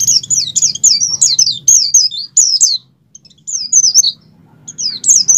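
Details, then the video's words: Oriental white-eye in strong breeding condition, wild-caught voice for stimulating captive birds: lively, high twittering phrases of rapid slurred notes, pausing briefly midway before resuming with scattered chirps. "pleci over birahi ngalas mempercepat pleci buka paruh dan pleci gacor"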